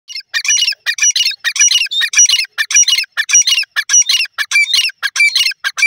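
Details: Grey francolin, locally called teetar, calling: loud, harsh, squawking notes in rapid clustered bursts, roughly two per second with brief gaps between, sustained throughout, with no other clear sounds.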